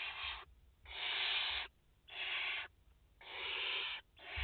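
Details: In a French barn owl nest holding a mother and four chicks, 30 August 2021, loud drawn-out rasping hisses come in four bursts, nearly a second each.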